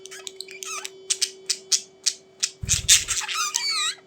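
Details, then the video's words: Budgies chattering indoors: rapid series of short sharp chirps, then dense wavering squeaky warbles with buzzy notes, and a low thump partway through. "Budgies Sounds for lonely birds to make them Glad"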